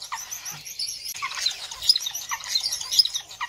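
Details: Star finch uttering rapid, high, squeaky chirps and tweets in a continuous jumble, several sharp bright notes punctuating the chatter, with a faint low thump in the background.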